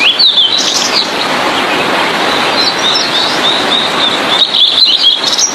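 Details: Blue-and-white flycatcher in energetic gacor song for teaching other birds: high chirping notes at the start, faint scattered twitters in the middle, and a livelier run of high, slurred notes during the last second, all against steady hiss.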